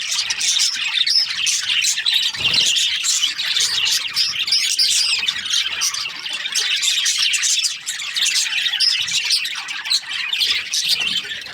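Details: A long run of Australian budgie chatter, with dozens of small chirps, grating squawks and warbles overlapping continuously and a faint low thump early on.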